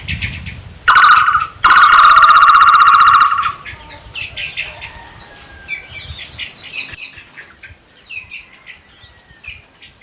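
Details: Barbet opening with a short and then a longer burst of loud, rapid, buzzing pulsed notes at a constant pitch, after which assorted chirps of other birds continue.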